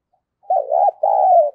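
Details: Spotted dove used as a decoy bird, calling to lure others; two soft low coos, the second longer and steady.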